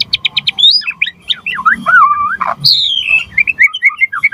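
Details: White-rumped shama singing to spur other birds to sing; quick repeated chips open into looping whistled phrases, a harsh note, then a long descending whistle and chattering high notes.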